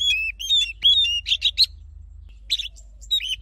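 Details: Training song of an Oriental magpie-robin in forest style: lilting whistled phrases followed by harsh, buzzy chatters, a short quiet gap, then more mixed whistles and rasps.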